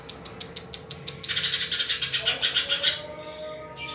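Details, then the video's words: Greater green leafbird in vigorous song, delivering a rapid trill of short, high, metallic notes that speeds up and grows louder before stopping abruptly, with a steady low hum behind. "cucak ijo fighter gacor"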